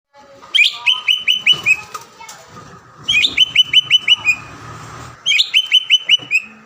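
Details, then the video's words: Green leafbird singing vigorously, used as a lure to provoke a rival bird into singing and agitation: three bursts of rapid, bright repeated notes, each burst about a second long with short pauses between. "PANCINGAN CUCAK IJO GACOR AGAR CUCAK IJO LAWAN SEKETIKA LANGSUNG BUNYI DAN EMOSI"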